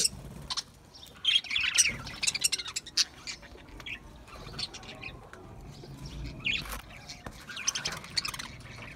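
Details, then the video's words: Budgerigars, Australian parrots, singing: scratchy high warbled chatter in clustered bursts, loudest near two seconds and again after six seconds, with quieter chirps between and a soft low background hum. "Beautiful Australian Parrots Beautiful Australian Birds Beautiful Singing Birds"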